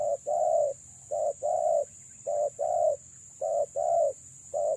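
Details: Luring call of a female spotted dove: paired hollow coos, each a short note then a longer one, repeated about once a second in a steady rhythm, with a constant thin high whine behind.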